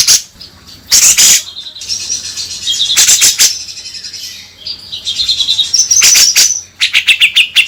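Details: Grey-cheeked bulbul (cucak jenggot) lure song: loud harsh chatter bursts alternate with softer buzzy and whistled phrases, ending in a quick run of descending chips.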